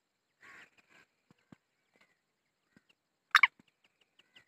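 Black francolin giving harsh, grating notes: a softer raspy phrase early, then one loud, scratchy burst near the end, with faint knocks between.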